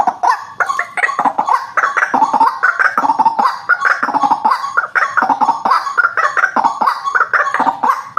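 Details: White-breasted waterhen calling, a recording used as a lure to attract birds: a dense, harsh stream of croaking, grunting notes, some rising and falling, packed together without pause.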